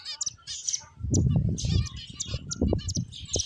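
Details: Finches at play give quick, sharp high chirps in scattered bursts over a steady low rumble of movement and handling noise.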